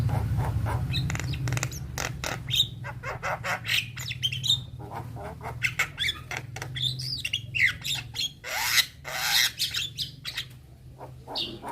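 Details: Young Javan myna in full song, said to make other mynas answer; harsh chattering clicks and squawks mixed with short rising whistles, delivered in rapid, uneven bursts over a steady low hum.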